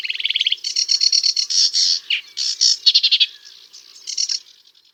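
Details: Sedge warbler, a bird of reedy marsh and scrub, delivering a prolonged varied song: a fast buzzy trill, then loud harsh chattering phrases of repeated notes, trailing off into softer twitters.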